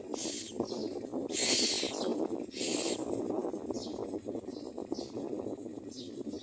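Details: Common myna at its nest feeding its chicks: harsh, hissing bursts of about half a second, several spaced through the clip, over a steady low rumbling background noise.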